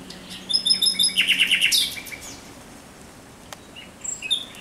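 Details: Night song of a thrush nightingale, recorded 17 May 2023: short high whistles followed by a quick series of clicking notes, then quiet, with another brief high phrase near the end.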